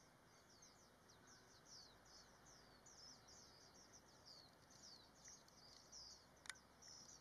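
Japanese White-eye: a steady stream of thin, high, quick twittering notes, several each second, with a soft background hiss and one sharp click.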